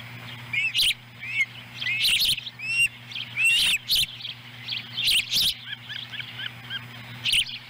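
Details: Ospreys at a nest in Lolo, Montana, on July 18, 2017, as the adult female delivers a small fish for a chick. Sharp high chirps and short rising whistles come in uneven bursts, with loud clicks and a steady low hum.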